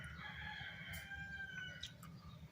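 A rooster gives a long, drawn-out crow with steady harmonics that fade toward the end, over a low rumble of background noise and possibly a man talking.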